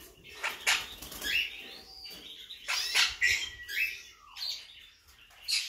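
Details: A blue mutation monk parakeet mixes harsh rasping screeches with short whistled slurs and a falling note, interspersed with clicks and rustling.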